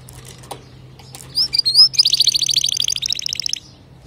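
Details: Male canary song for training young canaries: a few sliding whistles, then a dense fast trill of repeated high notes lasting over a second.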